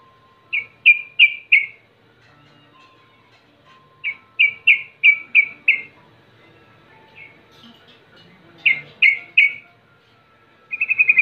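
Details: Sooty-headed bulbul lure song of the 'rol' type, meant to make rivals answer: short groups of three to six clear, downslurred whistles separated by pauses, closing with a quick trill.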